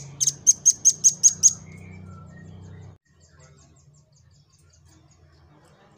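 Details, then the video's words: Velvet-fronted nuthatch, singing actively and used as a tutor to train other birds and draw out their song; seven sharp, high chipping notes in a quick, even run over about a second and a half, then faint scattered notes, with low background hum early on. "INI BURUNG RAMBATAN GACOR‼️ Untuk Masteran Dan Pancing Bunyi"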